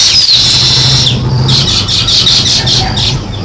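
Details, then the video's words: Weaver birds building a nest give a fast run of high, scratchy chirps, about three a second, with a steady hiss and a low hum behind them. "Sparrow Chirping Sounds | Weaver Birds Building Nest"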